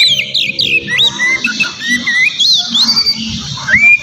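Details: Oriental magpie-robin song meant as a lure for a rival: a few sharp descending notes and scattered clear whistles over a busy, murmuring low background.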